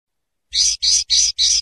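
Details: Common linnet (Carduelis cannabina) song fragment: four harsh, buzzy, wheezing notes in quick even succession after a short pause, high-pitched and rasping; nothing else audible.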